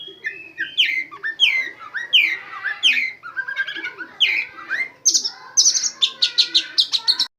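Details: Oriental magpie-robin carrying white-rumped shama imitations: repeated downslurred whistles in a steady rhythm for five seconds, then loud high chattering notes to finish.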